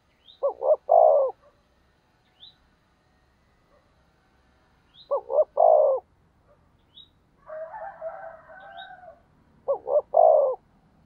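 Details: Decoy spotted dove's urging coo, aimed at making wild doves coo along: three low three-note phrases about every five seconds, two clipped notes then a longer fading one, with a noisy twittering burst and tiny high squeaks between.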